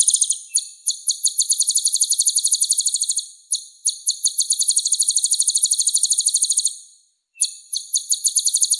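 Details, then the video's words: Sunbird in full 'gacor' song for masteran, the Indonesian practice of tutoring cage birds. Long, fast, very high rattling trills run on for seconds, split by brief silent gaps. "MASTERAN SPESIAL KOLIBRI GACOR"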